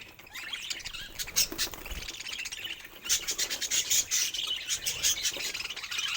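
Budgerigars give scratchy, high chirps and squawks mixed with crunching as they eat.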